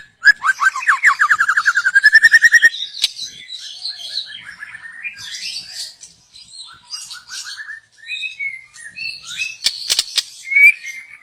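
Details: Young wild forest white-rumped shama, recorded as lure song; opens with a long fast rattling trill of rising notes, then varied softer whistled phrases and high chirps, with a few sharp clicks.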